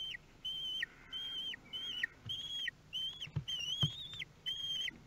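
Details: Common kestrel recorded at the nest by a nest camera in Théding, France, on 9 June 2022; repeated shrill, flat whistled squeals, each ending in a sharp downward flick, about one every half second, with faint knocks.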